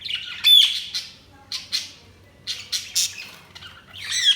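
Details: Budgies giving clustered squawky chirps and a few whistled notes in short bursts separated by brief pauses.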